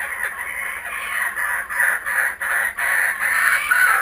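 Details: Kookaburras back at a home area, captured on GoPro Hero 3D and Fujifilm W3 cameras; continuous rhythmic cackling in quick pulses, harsh and rolling, with brief dips between bursts.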